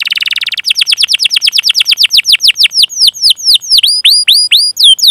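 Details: Canary singing a long chirping and rolling song meant to prompt other canaries: a brief buzzy trill, then a long series of steep sweeping notes that slow and grow longer.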